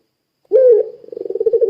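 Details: Puter pelung dove cooing: a single drawn-out low hollow note that slides into a rapid pulsing roll, sung to set other doves cooing along.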